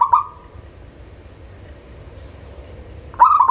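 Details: A lure recording of a local zebra dove for birds slow to sing. A trilled coo fades out at the start, then after a quiet gap a new stuttered, rolling call begins at the end.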